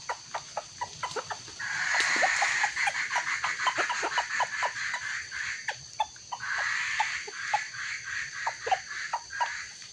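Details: Red junglefowl giving two short, hoarse crows, each about a second long, among rapid dry clucks and clicking taps, as a young wild junglefowl is lured and confronted by a small decoy cockerel during trapping.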